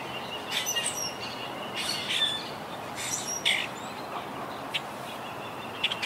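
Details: Colony of wild Quaker parakeets living high in trees, regrouping since Hurricane Irma halved it in 2017: scattered raspy squawks in short bursts, softer and more distant, over steady outdoor background noise.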